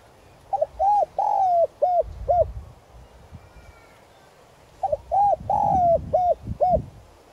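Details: Decoy spotted dove calling to stimulate wild birds, 'son' voice; a phrase of coos, a three-second gap, then the same phrase repeated: short note, round coo, long descending coo, two brief coos.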